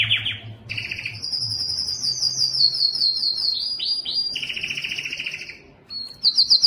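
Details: Yellow canary singing a varied series: a buzzy low trill, a high rapid trill, repeated downward-sweeping notes, a rolling trill, a short gap and bright rising notes at the end.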